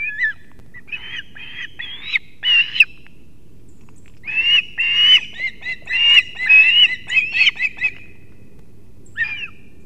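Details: Osprey at a Latvian nest in Kurzeme, early morning of 3 September 2024, male delivering two fish to the young; runs of piercing, slightly rising whistled yelps, a quiet gap, then a dense chattering series.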